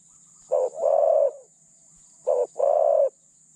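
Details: Decoy spotted dove, medium in voice, used to attract other doves for capture: two deep hollow phrases, each a brief note followed by a longer drawn coo, roughly 1.8 seconds apart, with a faint high hiss behind.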